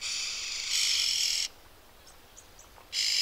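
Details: In Kruger National Park, South Africa, a red-billed oxpecker gives a harsh, hissing rasp lasting over a second, then a few faint high chips, and the hiss again.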